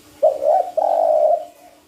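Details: Lure call of a spotted dove for bird trapping, a two-part phrase: a quick dipping coo, then a drawn-out even coo fading away, over a low steady hum.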